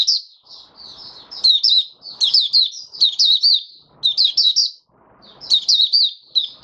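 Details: Caged oriental white-eye, a mata puteh raja, sings on its fifth day after a monthly deworming: bursts of high, thin, warbling twittering notes in quick runs, separated by short pauses, with faint low rustling between phrases.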